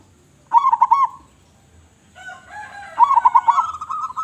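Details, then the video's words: Local zebra dove with a big voice calls steadily: a loud, quick, stuttering phrase of low coos, then a quiet gap and a faint drawn-out hum. A second loud rolling phrase ends in a trailing coo. "Perkutut Lokal Gacor Suara Besar"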